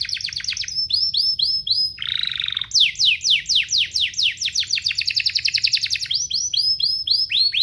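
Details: Domestic canary training song for juvenile birds: repeated high slurred notes, a brief low buzzy phrase, then long series of quick descending whistles changing speed and pitch between tours.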